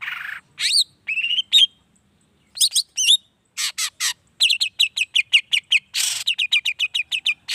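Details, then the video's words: Provoking song of a long-tailed shrike, played to make other shrikes answer. A lively mix of harsh rasps, rising whistles and quick trilled notes, ending in a fast chattering series of repeated chirps. "Suara Cendet Gacor Pagi Siang Sore Biangnya Bikin Cendet Manapun Nyaut Emosi Ikutan Bunyi"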